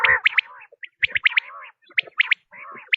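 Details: Quail giving a harsh, descending nasal note, then paired high chirps followed by drawn-out buzzy trills, about once a second.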